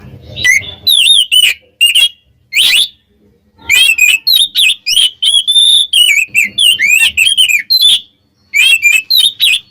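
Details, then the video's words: Oriental magpie-robin singing to provoke rival birds: loud, varied whistled phrases with sweeping up-and-down notes, delivered in quick bursts separated by short pauses, mixing clear whistles with harsher chattering notes. "SUARA BURUNG KACER KEMBAR ‼️ bikin lawan EMOSI"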